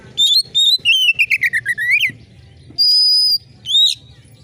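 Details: Oriental magpie-robin in full, sharp-screeching voice for stirring contest birds: a few high whistles, then a quick string of warbled notes dropping steadily in pitch, followed by a long level piercing whistle and a short upslurred note.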